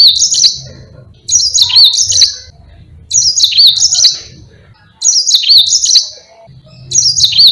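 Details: Mozambique canary in full, steady song for use as a master to train other birds: bright high warbling phrases of rapid trills and wavering whistles, each about a second long, repeated roughly every two seconds, five phrases, faint background hum.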